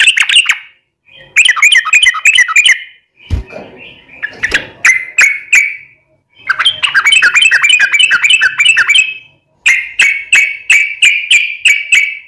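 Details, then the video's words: Yellow-vented bulbul lure song meant to make captive bulbuls sing back: chattering bubbly phrases with a loud click and scratchy noise partway through, ending in an even run of clear, repeated whistled notes. "SUARA trucukan gacor ROPEL PANJANG pancingan trucukan agar bunyi"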